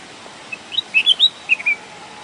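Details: Red-whiskered bulbul singing: a short phrase of bright, clear whistled notes rising and falling, about eight quick notes over one second, over a steady faint background hiss.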